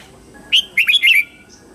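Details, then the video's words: Morning singing of a red-whiskered bulbul, used to train white-cheeked juveniles: one clear whistled note followed by a quick, rolling cluster of three or four liquid whistles, rising and dipping, over a quiet steady tone. "Luyện giọng chào mào hót sáng hay nhất để luyện má trắng"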